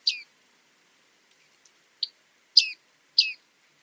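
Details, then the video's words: Bearded reedling (Panurus biarmicus), a reed-bed bird, giving four sharp, high, ringing 'ping' notes, each dropping slightly in pitch, spaced unevenly over a few seconds against near silence. "Bearded reedling 1h bird sound"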